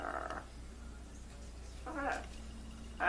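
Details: Trained pet blue-and-gold macaw imitating speech and crying, with short, nasal, harmonic bursts at the start, middle and end, separated by quiet gaps.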